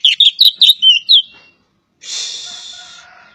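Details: Oriental magpie-robin of the kacer poci type from Java: a quick run of sharp, whistled chirps with slurred notes over about a second, followed after a pause by a long harsh, raspy hiss.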